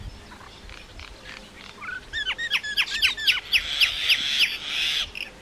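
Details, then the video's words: Common myna song building from faint notes into a fast run of sharp falling chirps, then chirps layered over a harsh grating buzz. "Common myna bird song /Indian maina sound /mynah singing"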